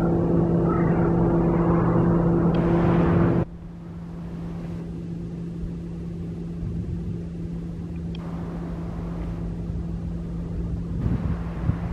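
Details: Only a steady low engine hum and passing traffic rumble, with no animal voice.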